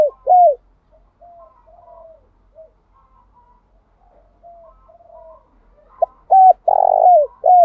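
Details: Decoy spotted dove calling to make other doves sing back: a loud hooked coo, soft distant coos from other doves over several seconds, then a loud run of short, trilled and downslurred coos.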